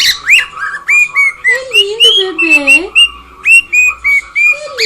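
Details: A house-kept cockatiel sings a busy run of short clear whistled notes, some upslurred, others flat, about three per second. A lower sliding tone runs underneath midway.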